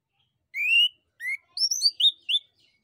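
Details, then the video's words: Lure song of a male orange-headed thrush, meant to make other birds answer: a drawn-out rising whistle, a shorter rising note, then a rapid cluster of high, twisting whistled notes falling in pitch. "SUITAN ANIS KEMBANG JANTAN DAN PANCINGAN ANIS KEMBANG GACOR"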